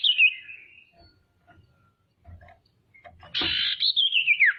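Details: Female common iora used as a lure to make rival birds call and become agitated: a falling whistled slur, faint knocks, then a loud buzzy trill running into a rapid descending warbled trill.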